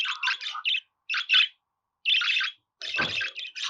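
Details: Budgerigar warbling in a rapid run of buzzy, scratchy chirps, bursts of chatter separated by short pauses, ending with a rough grating note among the chirps.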